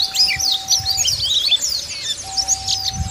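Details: Wild Dakun Bali white-eyes calling out to rivals, giving a busy stream of sharp high chirps and quick slurred notes from several birds at once, with a faint steady tone underneath.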